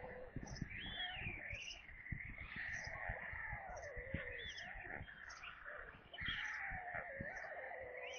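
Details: White storks at their nest in Kaluga Oblast, Russia, at evening feeding on 22 July 2022 around 17:52, with a corncrake brought as prey, give thin, wavering, mewing whines over steady knocking and tapping, with faint high chirps every half second.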